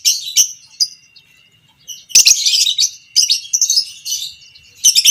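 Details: Lovebird, fighter type, violet parblue creamino, singing ngekek, long chatter played to teach other lovebirds; bursts of high, harsh twittering separated by quiet gaps, with a faint steady thin tone underneath.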